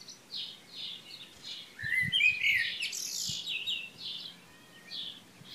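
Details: Early June morning chorus at Šilo, Krk island, Croatia, recorded 3 June 2015: several birds trilling and chirping in rapid, busy high phrases, one sweet upslurred whistle, and a few low thuds beneath.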